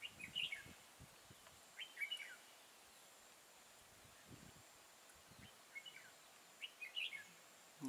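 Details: Red-whiskered bulbul fighting song during trapping with an old caged decoy, recorded 12 April 2018: short whistled, warbling phrases at about 0.4, 2 and 7 seconds, separated by pauses, over faint rustling and low background noise.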